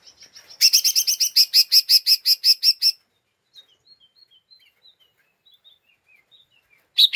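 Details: Ngeriwik chattering of an excitable lesser green leafbird, a lure sound for provoking other birds: soft high notes lead into a loud, evenly pulsed harsh rattle for over two seconds, then faint scattered whistled notes and a final loud burst.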